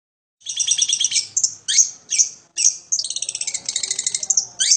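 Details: Long-tailed shrike singing nonstop with high and low notes, a melodious song: bursts of rapid scratchy chatter, then three sharp downslurred whistles spaced about half a second apart, followed by a fast even series of clipped notes.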